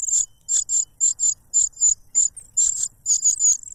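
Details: Cuckoo chick begging noisily from its foster father, who feeds it a butterfly to quiet it; irregular shrill chirps and short buzzy bursts, unevenly spaced, about a dozen in total.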